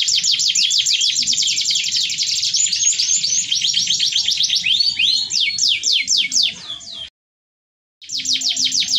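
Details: Long fast roll from a canary: dense rapid high trilled notes, then spaced sweeping notes, a short pause of silence near the end before the song bursts back in.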